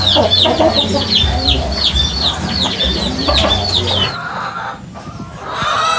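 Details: Chickens making weird noises: quick, high, downslurred chirps repeated several times a second over low murmuring, then quieter scattered sounds and a few soft calls.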